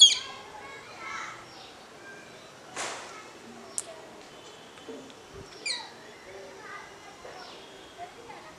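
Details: Two rose-ringed parakeets on a terrace, 15 April 2023: harsh, high squawks and short falling screeches at irregular intervals, with softer chirps and a sharp rustling burst between them.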